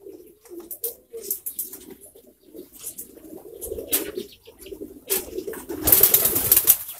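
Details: Several pouter pigeons coo in soft, low, rumbling phrases. Toward the end a loud burst of wing flapping breaks in.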